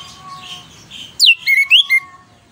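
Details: Orange-headed thrush singing loudly, used as a lure to stimulate other songbirds: a sharp downward sweep followed by four clear whistled notes, over a faint steady background hum.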